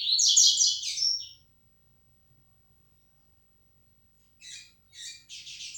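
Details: Yellow-bellied seedeater labelled 'flecha negra': a bright, rapid, buzzy twittering phrase, a long pause, then three clipped double-toned chips that lead into another quick phrase.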